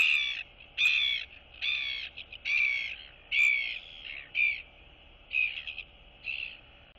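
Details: Royal albatross chicks greet each other on 9 September 2022. One is a younger chick that still has down on its neck and chest. Loud, harsh, braying calls come in bursts about every second, then grow quieter and more spaced.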